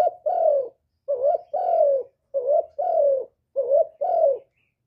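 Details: Spotted dove kept by a bird keeper, recorded up close without background noise, cooing in a stimulating voice. Three paired coos, each a brief hoarse lead note then a drawn-out, slightly falling coo, come at steady intervals.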